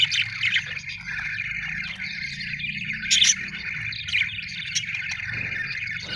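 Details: Budgerigars (Melopsittacus undulatus) chatter in a busy stream of warbled chirps, squeaks and scratchy notes.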